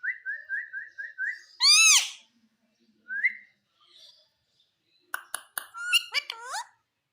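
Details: Indian green ringneck parrot talking: a row of short repeated upslurred whistles, a loud harsh squawk, a single rising whistle, then clicks and quick speech-like syllables.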